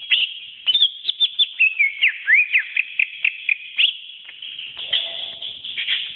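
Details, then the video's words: Greater green leafbird model song: rapid high whistles and sharp chips, including a quick zigzag of slurred notes, running into a continuous, dense high twittering. "Masteran Suara Cucak Ijo"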